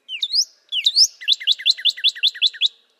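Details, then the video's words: Two loud rising sweeps from a northern cardinal lead into a crisp string of about nine rapidly repeated two-tone notes. "Northern Cardinal Bird Sound"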